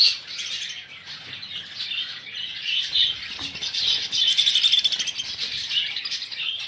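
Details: Many budgies chirp and twitter over one another in a steady, busy warble, with a few sharper tweets standing out near the end.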